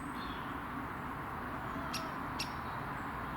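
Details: A great spotted woodpecker, heard but unseen in a tree by an allotment in October, gives two sharp, high 'kik' notes about half a second apart over a steady outdoor hum.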